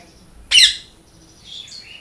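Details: A parrot gives a single loud, harsh, rasping squawk, then a softer buzzy note trails off in the background.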